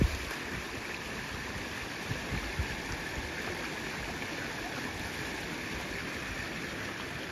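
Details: Continuous flowing stream and gurgling water, with no animal calls present.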